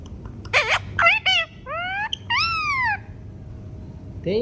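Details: Pet green ringneck parrot talking: a quick run of choppy harmonic syllables, then two long, smoothly arched, voice-like phrases, and a short rising note at the end over faint room hum.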